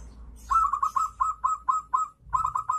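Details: Zebra dove (Geopelia striata), song: to stimulate other doves to sing.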